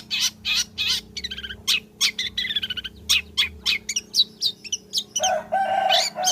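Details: Long-tailed shrike in full song, used as a lure to prompt singing: rapid, varied chattering of harsh and squeaky notes, some trilled, tumbling several per second and ending in a sustained lower, nasal drawn-out phrase.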